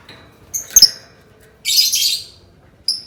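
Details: Lovebird sound used to prompt other lovebirds to sing: a sharp double chirp, then a long raspy buzzing squawk, and a short chirp at the end.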